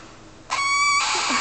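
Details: Young galahs, also called rose-breasted cockatoos, begging while waiting for breakfast: a brief clear whistled squeak that runs straight into a loud, harsh, hissing rasp.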